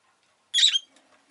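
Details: Single piercing, scratchy chirp from a pet rosy-faced lovebird, followed by faint rustling and soft background noise.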